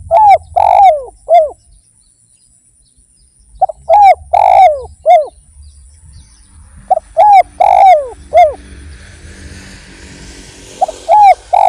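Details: Spotted dove (derkuku) singing repeatedly as a lure for other doves: four phrases of a double note and three downslurred coos, the middle one longest, with pauses between and a soft hiss late on.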